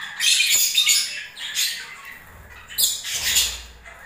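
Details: Lovebirds in breeding season giving strident, grating squawks and twittering chatter in overlapping bursts, with a low hum in the background.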